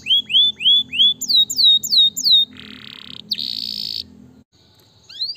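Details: Canary song meant to set other canaries singing: rising hooked whistles repeated about three a second, then higher swoops, followed by two harsh buzzy bursts and a pause before a last rising note.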